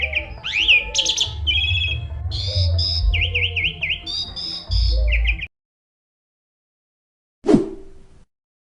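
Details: Young Asian pied starling singing energetically: a varied jumble of clear whistles, rising slurs, trills and chattering notes over a low droning hum, then a pause and a single sharp thump.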